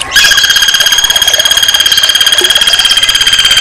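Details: Red-crested woodpecker calling vigorously: a steady, very rapid rattling trill of evenly spaced bright notes, held at one pitch without pause for the whole stretch.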